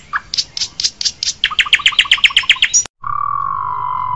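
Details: Asian pied starling singing a varied string: a run of hoarse, evenly spaced chirps speeding into a rhythmic series of sharp notes, then a sustained steady whistled tone.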